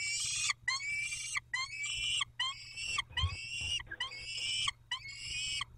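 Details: Peregrine falcons at Dobra during a feeding at 11:48, dated 19-05-21: loud, harsh, rasping calls in repeated bursts of about half a second to a second, separated by short silences, over a low steady hum.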